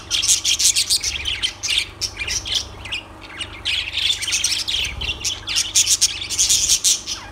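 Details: Lovebirds squawking and chirping in loud, rapid, harsh bursts, many short high notes packed together with brief pauses, several birds calling at once, a low hum underneath.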